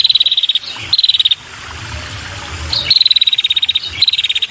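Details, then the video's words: Female red-headed prinia calling to attract males: short, rapid, high pulsed trills in quick pairs, then a pause of over a second before further trilled bursts, with a low background hum. "Suara Burung Prenjak‼️Kepala Merah Betina‼️Gacor dan Untuk Pikat Burung Prenjak Jantan"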